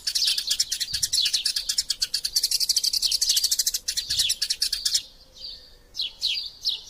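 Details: Fighting Eurasian tree sparrows used as a training tutor sound: about five seconds of packed, rapid high chirping, then a sudden drop to a few scattered, separate downslurred chirps near the end.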